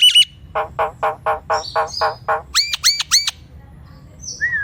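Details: Nias hill myna vocalizing as a lure for mute mynas: a short whistle, then eight evenly spaced lower nasal honking notes, followed by three ringing rising-falling whistles and a final flat whistle.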